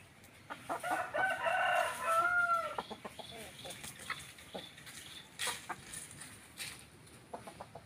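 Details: Ayam kampung rooster and hen: a loud, drawn-out harmonic call lasting nearly two seconds, falling at the end, followed by a string of short, quieter clucks and clicks against light background noise.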